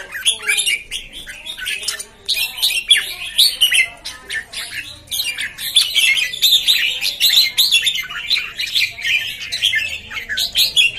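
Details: Red-whiskered bulbuls, newcomer birds recorded 13 June 2019, in a dense chorus of fast, overlapping chirps, squawks and bubbly whistled phrases that run almost without pause.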